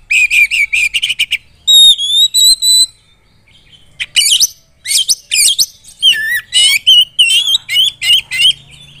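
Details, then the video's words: Oriental magpie-robin song, played to provoke rival birds: bursts of high, varied whistled phrases, rapid trilled notes and sharp slurred chips, delivered in short loud bouts separated by brief pauses. "suara kacer super gacor bongkar isian || bikin lawan langsung emosi !!!"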